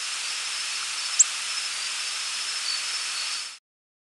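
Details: Black-throated Blue Warbler flight call: a single very high note that rises abruptly without the small hump it sometimes has, lasting only an instant, over a steady background hiss.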